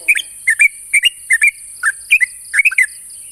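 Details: Challenge call of a sooty-headed bulbul toward a rival, fast paired liquid chirps in rapid succession, each couplet dipping then rising, with an unbroken high hiss behind.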